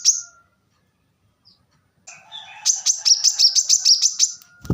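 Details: Short bright chip from a plain-throated sunbird, a silent gap, then a fast high trill of around a dozen notes building in loudness, recorded as tutor material; a brief low thump closes the sequence.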